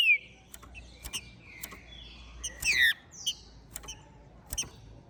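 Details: Ringed, captive-bred green-winged saltator from Minas Gerais singing after moulting; sliding whistled notes at the start, then a loud descending slurred phrase midway, among sharp clicks and tapping.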